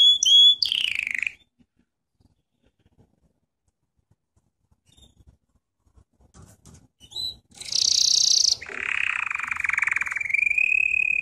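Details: Canary singing lesson for training: a brief trill and falling note, a long silence with faint clicks, then a loud buzzy burst and a sustained rolling trill.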